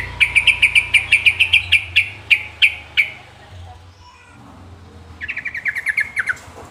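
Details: Sooty-headed bulbul (trucukan) uttering a steady string of sharp, evenly spaced chirps slowing toward the end, then a second quicker burst after a pause, over a low background hum.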